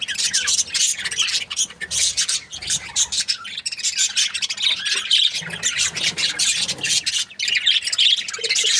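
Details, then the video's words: Constant busy warbling from a happy budgerigar breeding pair, a thick layer of quick, grating high chirps with hardly a pause. "Happy budgie chirping sounds"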